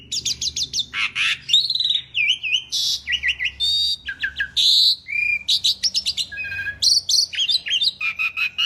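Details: Asian pied starling (jalak suren) delivering a lively masteran song: a fast, varied stream of high chirps, twittering runs, short whistles and squeaky notes, almost continuous, with brief lower whistled phrases mixed in.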